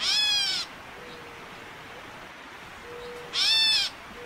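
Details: A Gray Catbird gives its agitation mew call, two harsh, nasal, cat-like mews, each slurring downward and lasting over half a second, about three seconds apart, with a faint low whistle between.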